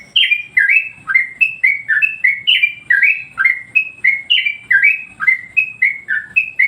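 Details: Master song of a Yellow-vented Bulbul, meant to rouse and train other birds: a steady stream of bright, bubbly whistled phrases, each a quick tumble of rising and falling notes, repeating almost without pause.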